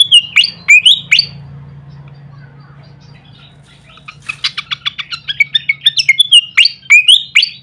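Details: A pied fantail singing on a training recording for songbirds: slurred, falling whistled phrases, a quiet pause with faint hum, then a quick series of chips building back into whistled slides.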